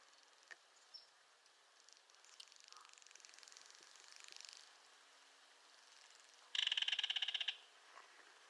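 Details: A belted kingfisher delivers a loud, grating rattle of about a second near the end, fast evenly pulsed clicks, preceded by a fainter, more distant rattling and a few soft scattered notes.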